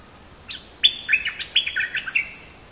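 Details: Oriental magpie-robin singing a short, varied phrase of clear whistled and chattering notes that jump between low and high pitches, with a faint steady high hum behind.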